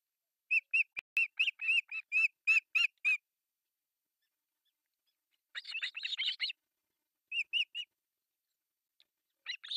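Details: Breakfast feeding at an osprey nest in Pohjois Satakunta, Finland, July 1, 2024, with three chicks begging. A steady train of clear, whistled peeps comes about four per second, then a harsher chattering burst and scattered peeps.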